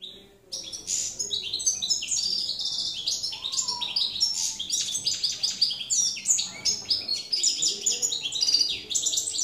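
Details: Campero goldfinch recorded in 2017 singing a continuous, rapid twittering song of liquid chirps, buzzy notes and quick trills that runs almost without pause after a brief opening silence.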